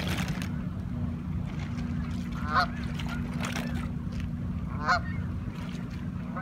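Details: Flock of Canada geese in Toronto, Ontario, Canada; a few short nasal honks stand out over a constant low rumble of water or engine noise, with sparse scattered calls between.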